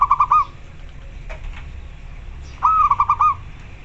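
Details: Local zebra dove calling. Two clear coo phrases, each a quick run of rolling, pulsed notes at an even pitch, one at the start and one after a two-second pause, over faint background noise.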